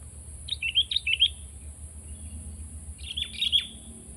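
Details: Sooty-headed bulbul singing two short bursts of chattering, slurred whistles separated by a pause, with a low background rumble throughout.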